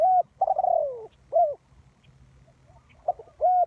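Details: Spotted dove serving as a lure for trapping. Short arched coos frame one long, wavering coo that falls in pitch. Brief faint notes fill the gaps over a steady low hum.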